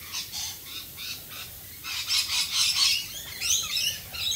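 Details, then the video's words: Rainbow lorikeets in Australia calling during rain, soft scattered high chirps building into a loud screechy chatter with sharp twittering notes near the end. "Australian Rainbow Lorikeets Singing in the rain."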